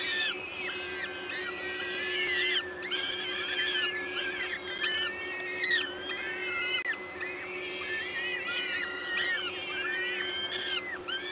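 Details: Feeding at a peregrine falcon nest, LOTOS, Gdańsk, Poland, 14 May 2022, 11:07: a dense, continuous chorus of drawn-out, bending, whining calls from several birds at once, with a constant low background drone.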